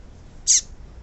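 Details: A female seedeater, called papa-capim, gives one brief piercing chirp that falls in pitch. It is a female call for making males sing. The background is quiet apart from a low murmur.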